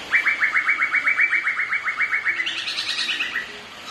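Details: Black-throated laughingthrush singing against a second bird while dancing: a rapid, even series of about twenty identical clipped notes, then a brief higher-pitched overlapping flourish as the run fades out.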